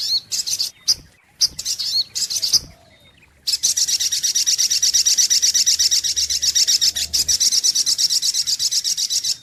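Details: High-pitched sunbird song played as a lure: a few separated sharp chips and short trills, a short silence, then a long unbroken run of rapid, evenly spaced, piercing chirps.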